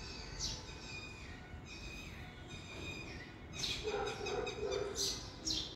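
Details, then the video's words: A baby sparrow gives thin, high chirps in short bursts, calling for its mother over a steady background hum. "baby sparrow chirping for mother"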